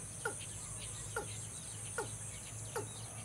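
A watercock gives four short, hollow, downward-slurred notes, one roughly every 0.8 seconds, over a steady high insect drone.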